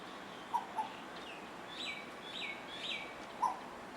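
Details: Asian koel, one of two birds singing and playing with each other; short clear notes near the start and end, with higher chirps and squeaky trills from other birds between them.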